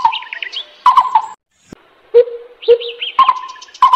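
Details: Repeated hooting notes from a lesser coucal, alternating with lower, softer notes after a short silence. Each note starts with a click, and quick high chirps from other birds overlap them.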